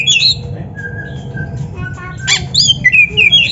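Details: Training recording of Oriental magpie-robin song: a whistled phrase, a long low steady note, then a harsh buzzy note and quick, bright rising and falling whistles.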